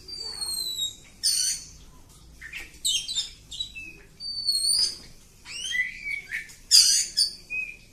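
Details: Kacer kampung oriental magpie-robin pouring out long ngacor song. Pure, high whistles mix with harsh scratchy bursts and quick, downward-curving notes in a varied, steady stream.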